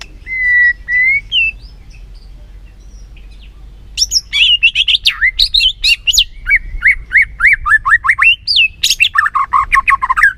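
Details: White-rumped shama song used as a lure to excite lazy caged shamas into singing: a few clear whistled notes near the start, then after a pause a dense run of rapid sweeping, chattering phrases with varied slurred whistles.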